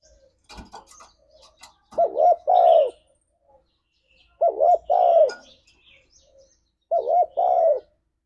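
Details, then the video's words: Spotted dove in lively 'ngalas' song, a lure for caged doves: paired low coos, a short wavering note then a longer rounded one, repeated three times about every two and a half seconds, with scattered thin chirps and clicks at the start. "Suara Burung Tekukur Ini Pancingan Tekukur Gacor Suara Ngalas"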